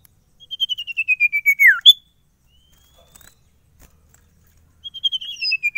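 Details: Sirtu kept as a cagebird in full song: a fast run of clear whistled pulses slides lower and ends in a steep downward swoop. A second descending run begins after a pause.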